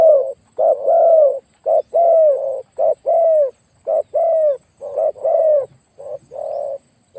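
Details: Loud, deep-voiced spotted dove used for decoy luring, cooing steadily: short clipped note then a longer rolling coo, pairs repeated roughly every second for seven seconds.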